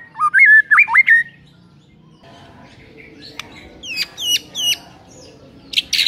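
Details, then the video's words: White-rumped shama singing to rouse a listless shama: a rising run of rich looping whistles, a quiet gap, then sharp downslurred notes and a short harsh burst at the end. "MURAI BATU LOYO LANGSUNG NAIK EMOSI & BONGKAR MATERI MENDENGARNYA"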